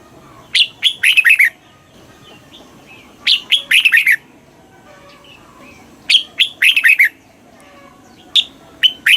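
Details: Thai caged red-whiskered bulbul song in the southern master style, played to excite birds and teach chicks: short bursts of four to six loud, falling whistled notes, repeated roughly every two to three seconds over quiet background.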